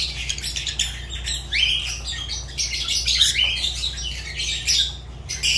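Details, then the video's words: Fischer's lovebird (Agapornis fischeri) giving shrill, squawking high-pitched calls in rapid irregular bursts, some notes sliding upward, over a steady low hum. "Lovebird Agapornis Fischer sounds"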